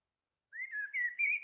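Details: A Common Blackbird, a UK garden songster in spring, gives a short, mellow, deep and wistful whistled phrase, gently wavering and rising slightly over about a second; it sings in bursts with pauses between.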